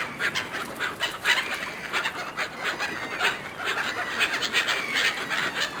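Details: Seagulls competing fiercely over food thrown to them by a person, giving a dense chorus of harsh, overlapping squawks and cries, many birds calling at once in quick bursts throughout.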